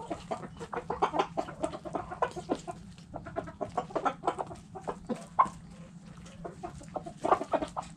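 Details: Backyard hens cluck in a busy flock, with short, throaty notes overlapping in quick, uneven bursts.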